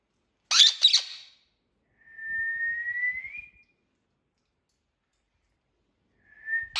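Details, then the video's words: A pet Indian ringneck parakeet (rose-ringed parakeet) gives a harsh, rasping squawk, then a long clear whistle sliding slightly upward, starting another whistle at the end; no words heard. "Indian ringneck parrot || talking parrot"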